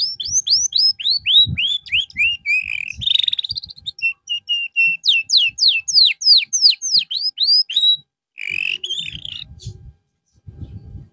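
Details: Canary singing during a therapy session after losing its singing form: quick runs of high, downslurred whistled notes about three per second, a buzzy rattling trill near three seconds, then more sweeping phrases ending in scattered chirps; faint low thumps beneath.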